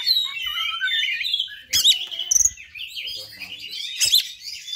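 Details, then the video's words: Oriental magpie-robin fighter song used to provoke rival magpie-robins: dense high warbling and chattering phrases, interrupted by loud sharp clicks or knocks around the second and fourth seconds. "KACER FIGHTER TINGGI BAGUS UNTUK MEMICU EMOSI KACER ANDA !"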